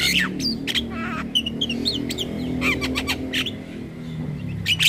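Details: Lure chatter of a Javan myna for attracting mynas and starlings: harsh rasping calls, nasal notes and brief whistles over a continuous low droning background.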